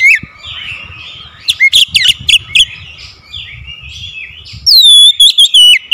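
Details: Oriental magpie-robin used as a lure to make idle birds sing: soft scratchy warbles and a few loud chips at first, building to a ringing series of clear looping whistles in the final seconds.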